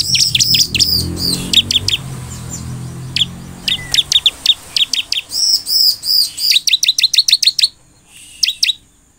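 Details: Chatty Bar-winged prinia song used to provoke other prinias: fast series of thin, high falling chirps and arched notes over a low murmur that fades midway, ending in a few spaced chips after a brief silence.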